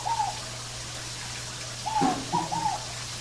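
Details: Scaled dove (fogo-apagou) singing in a natural setting: short cooing notes, each slightly rising then falling, one near the start and a pair after two seconds, over a steady low hum with a soft thump.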